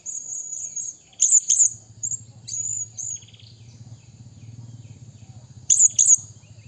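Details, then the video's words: Blue-crowned hanging parrot calling a rival, giving shrill high squeaks and short piercing double bursts, with a low steady hum running underneath through the middle. "burung serindit bunyi memanggil lawan...!!!"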